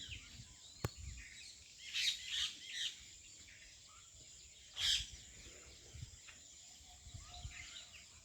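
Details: Wild birds heard in the evening and morning: short bright chirp bursts near two seconds and again near five seconds, with faint scattered twitters between them over a steady background hiss.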